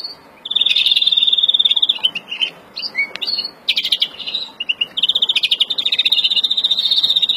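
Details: Breeding song of an agitated Verdune-mutation European greenfinch, April 2016: broken bursts of high trilling and buzzy notes separated by short gaps, ending in a long even rapid trill.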